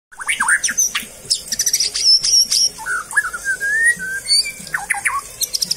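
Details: Captive-bred white-rumped shama kept at home, delivering a varied whistled song of rising and falling notes, rapid chips and high trills, with a few quiet words from a person at the end.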